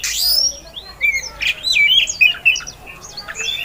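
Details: Female Oriental magpie-robin singing to provoke song from other magpie-robins. Fainter, softer warbled and whistled notes come in quick succession over a steady background hiss.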